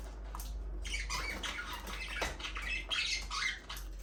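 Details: Budgies in an aviary, singing and playing: a steady stream of scratchy, buzzy warbles with short whistled slides, several birds chattering over one another against low room hum.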